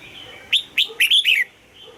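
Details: A single phrase of red-whiskered bulbul morning song in the old-forest double-note style. Two rising whistled notes lead into a rolling, slurred flourish that drops in pitch at the end.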